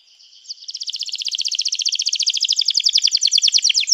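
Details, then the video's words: Canary singing a sustained, very fast trill of high, evenly pulsed notes. It swells in from quiet and stays loud and steady throughout. "este encantador som de canário"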